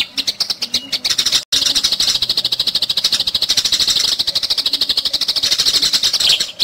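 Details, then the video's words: Fighting Eurasian tree sparrows, recorded to train other songbirds like white-rumped shamas and green leafbirds: an unbroken stream of sharp, scratchy chirps, roughly three per second, staying loud throughout after a split-second gap early on. "Masteran MURAI BORNEO gereja tarung"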